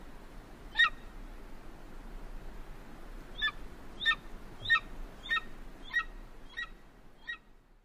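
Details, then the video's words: An eagle gives one sharp, ringing call, then a quick series of seven high yelping notes about every half second, softening at the end, over low rumble. "Eagle sounds"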